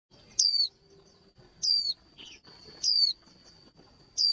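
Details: Female white-eye calling to fire up males to sing fast, for singing contests: short sharp high whistles sliding downward, given about every 1.2 seconds, over a steady thin high whine and faint background rustle.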